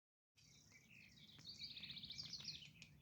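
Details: Acorn woodpecker in Cheeseboro Canyon, Santa Monica Mountains, gives harsh, scratchy calls that break into a quick, high chattering run of notes, over a low steady rumble of wind.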